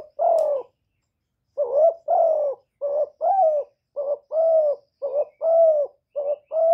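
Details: Decoy spotted dove recorded directly with no background noise, meant to stimulate other kept doves; a steady run of soft coos, short and long notes alternating in quick succession after an opening note and short pause.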